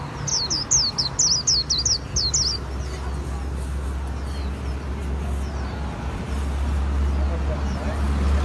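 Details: Líu-style song from a Japanese white-eye in Vietnam: quick sequence of about nine shrill, falling whistles over two seconds, followed by low rumbling noise.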